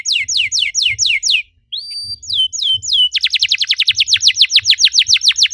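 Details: Canary song used as a lure to spur other canaries into singing: rapid series of loud descending whistled sweeps, a brief pause, then rising slurred notes and a fast trill of repeated down-slurred notes.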